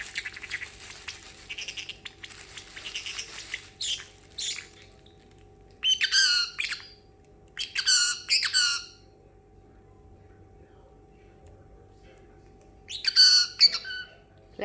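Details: Excited pet male parrotlet, talking and imitating sounds after treats; scattered soft twitters, then three loud harsh squawking bursts, each about a second long, separated by quiet pauses.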